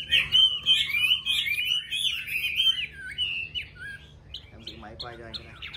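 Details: Chinese hwamei delivering a rich, rapid warble of slurred whistles for about three seconds, then shorter spaced notes as a human voice begins speaking over low hum.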